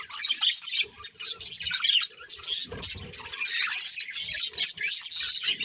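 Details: Colourful pet budgerigars, a breeding pair, chirping together: dense, bright, warbling chatter of rapid high chirps and twitters, nearly continuous with brief pauses.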